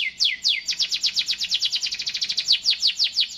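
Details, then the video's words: A canary sings a few wide downward sweeps, then a fast, even roll of short high syllables continuing to the end. "٣٠ دقيقة تغريد مستمر ورائع مهما كان نوع الكناري خاصتك سيبدء بالتغريد"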